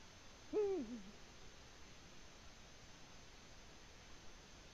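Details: A lone deep hoot from a Eurasian eagle-owl on the nest in Latvia in February 2020, arched and falling with a short low coda, followed by several seconds of quiet hiss.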